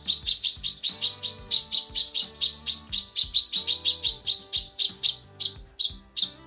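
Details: Female cucak kinoi calling to a male, tutor recording: steady, evenly spaced high chirps, roughly three per second, slowing toward the end. Background music plays under the calls.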